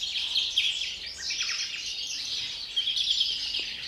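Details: Captive European greenfinch in pre-breeding song: fast, jangling twitters and short buzzy trills held in a high band, with faint overlapping chirps throughout.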